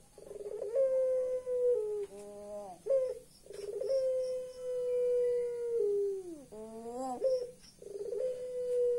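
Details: Puter pelung turtle dove giving its eerie laughing call: long sustained nasal tones, each opened by a rattling trill, then sliding downward and ending in a rising flourish; two full phrases about four seconds apart.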